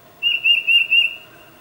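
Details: Tufted titmouse calling its mate: four loud, even, high-pitched whistles in under a second, then quiet; captured with a Nikon D800 and 600mm lens.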